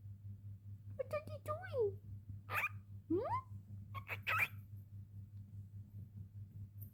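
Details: Young pet cockatiel named Coco talks in short, squeaky bursts of mimicked speech with rising and falling tones.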